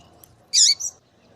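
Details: One call from a female double-collared seedeater meant to excite a male to sing: a single loud, high, slightly downslurred chip followed at once by a softer short note. The background is quiet.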